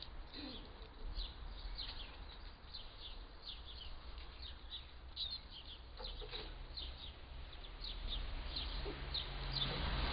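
Eurasian siskin giving quick, thin, high twittering notes, about four a second, over a steady low rumble that swells toward the end.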